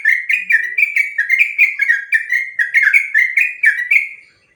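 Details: Long 'ropel panjang' song of a sooty-headed bulbul, used as a training song for other birds: a continuous chain of rich, liquid whistled notes, about three per second, slurring up and down with no pause.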